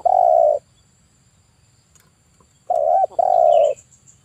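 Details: A male spotted dove used as a lure in bird trapping gives long, steady, mellow coos, one alone and then a pair in quick succession, with faint background hum.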